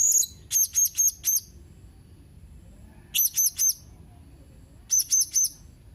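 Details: Blue-crowned hanging parrot on 31 March 2021: repeated bursts of three to five sharp, very high squeaky notes, spaced about two seconds apart, with little else but faint low hum.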